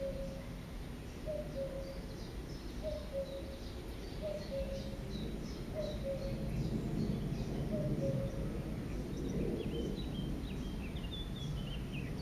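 A common cuckoo gives its falling two-note 'cu-coo' about six times, roughly every one and a half seconds, over thin chirps from other birds and a low rumble.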